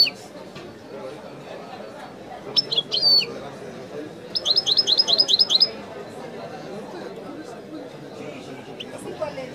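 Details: Widani-style European goldfinch song: a brief bright phrase, then a fast trill of about eight high, evenly repeated notes, set against a low, continuous murmur.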